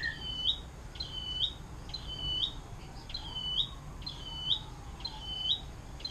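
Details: Atlantic canary in 'air mancuran' song style, used to tutor songbirds: faint, high, crisp notes repeated roughly once per second, with a soft low slur in the background.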